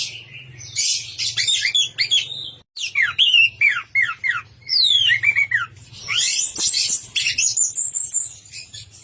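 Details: Energetic orange-headed thrush song in the 'teler' manner: a run of scratchy notes, a brief pause, then cascades of slurred whistles and a sustained high twittering passage over a low hum.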